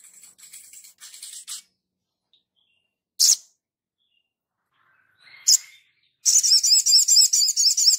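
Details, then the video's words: A gacor Sogon, recorded to tutor other birds, gives thin high twittering, then single loud chirps, ending in a rapid, rhythmic series of shrill looping notes repeated several times per second. "Langsung nyaut Sogon gacor ,untuk masteran"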